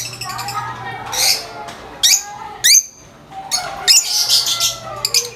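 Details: Several lovebirds chatter in overlapping high chirps and short sliding squeaks, with brief harsh bursts and a faint low hum underneath.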